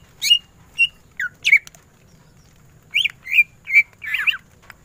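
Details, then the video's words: Cucak ijo, a greater green leafbird, delivering tembakan ngentrok song: sharp whistled notes with quick downward slurs, first a group of four, then after a one-second pause a tighter cluster ending in a warbled burst. A faint hum runs underneath. "Cucak ijo gacor full tembakan ngentrok"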